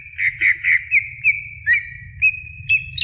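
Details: Greater green leafbird song used as training for other birds: a quick series of five bright, slightly burry whistled notes, then a long sustained whistle with short flicks and a high tail, over a faint low hum.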